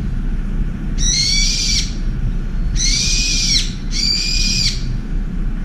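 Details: Brown-eared bulbul's ear-splitting shouting attack on a wild pigeon at a windowside feeding spot. Three harsh, strained screeches, each nearly a second long, the last two close together, with steady low rumble beneath.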